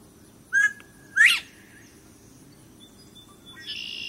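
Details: Bobwhite quail calling once: a clear short whistle followed half a second later by an emphatic upslurred whistle. Afterwards there is near silence with faint thin high tones and a soft hiss near the end.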